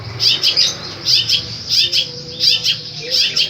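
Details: Long-tailed shrike (cendet) delivering loud, harsh squawky phrases in bursts about every half second, high and scratchy, with soft low hum in the background.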